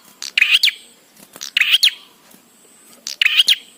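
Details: Singing bar-winged prinia recorded to train prinias to sing: three quick, scratchy phrases, each a brief stutter of chips rising into a buzzy flourish, with pauses of about a second and a quiet backdrop.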